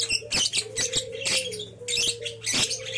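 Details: Young lovebird, three months old, from champion breeding stock; rapid sharp high chirps in quick clusters over a steady low hum and a thin whining tone.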